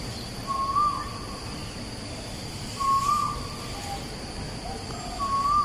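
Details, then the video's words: Three rising whistled notes from an Asian koel, spaced roughly two and a half seconds apart, with quieter bird calls in the background. Recorded 14 September 2021 at Bukit Batok East, opposite Bukit Batok nature park. "Asian Koel - Song Recording"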